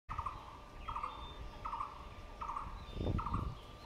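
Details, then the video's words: A barbet, thought to sound like a brown-headed barbet though its head is blue, repeats a mellow, rolling three-part note about every three-quarters of a second over a low background rumble. "sounds like a brown headed barbet"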